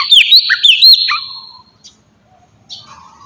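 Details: Oriental magpie-robin song used as a lure to provoke other birds into answering: a short burst of loud, sweet whistles and rising slurred notes, then a long fading tone and faint distant chirps.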